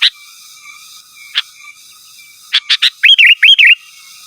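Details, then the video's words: Energetic sooty-headed bulbul calling to rivals, pure recording without other birds mixed in; a few isolated sharp notes, then a quick burst of chips leading into rolling, liquid whistled phrases, over a constant faint hum. "Suara Burung KUTILANG GACOR Asli Tanpa ISIAN Ampun Untuk Suara Panggilan dan Masteran"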